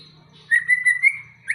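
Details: White-rumped shama from Aceh, prepared for a singing contest, giving a brief sustained clear whistle that holds steady and then rises slightly at the end, with a faint low hum underneath.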